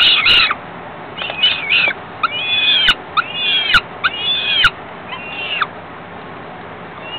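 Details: Falcon young begging while the female feeds them, a few hours after they were ringed: short, separate screechy cries with bent, drooping strokes, thinning out toward the end, with sharp clicks between.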